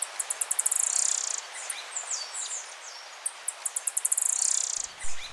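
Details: High-pitched spotted tanager song of quick, sharp ticks that run together into a hissing trill, followed by thin downslurred notes. It repeats about every three seconds, and a brief low thump is heard at the end.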